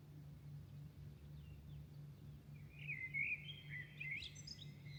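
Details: Birds singing at night toward dawn in Milan: after a quiet start, high warbled, twittering phrases with rising and falling whistles fill the last two seconds, over a steady low electrical hum.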